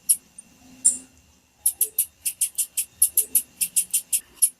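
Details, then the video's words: Blue-black grassquit female calling to make a male sing: a couple of isolated high squeaks, then a fast, fairly even run of about fourteen thin, very high 'tsip' notes packed into three seconds. "PIADO DE FÊMEA DE TIZIU FIT SEU TIZIU VAI CANTAR NA HORA TIZIU CANTANDO"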